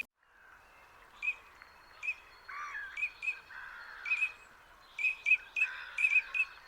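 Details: Eurasian (common) teal on a creek at Dartford and Crayford Marshes on the Thames foreshore in autumn or winter give short, high, clipped whistled "crick" notes, about a dozen scattered irregularly and clustering toward the end, over a soft hiss.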